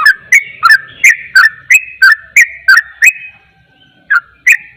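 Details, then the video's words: Yellow-vented bulbul giving rapid 'ropel' song said to agitate other bulbuls: loud clipped two-part chirps repeated about every third of a second, a short pause, then the series resumes. "Trucukan ropel, trucukan lain akan emosi dengar suara trucukan ini"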